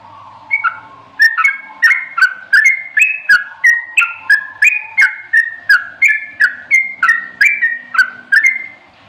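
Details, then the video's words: Sooty-headed bulbul in ropelan style, a long rapid run of bubbly whistled notes, each stepping or slurring between pitches, about three per second with little pause. A low hum lies beneath. "suara burung Trucukan ropelan full"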